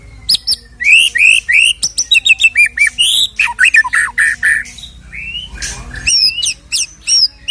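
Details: White-rumped shama song used to provoke a shama into singing and fighting: fast, varied stream of whistles, trills and squeaky notes, dense at first, then sparser high chirps.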